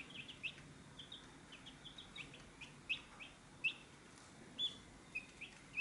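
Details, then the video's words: Chicks at a feed dish, heard as faint, scattered high peeps over a soft, steady background hiss. "Chicks at Feed Dish"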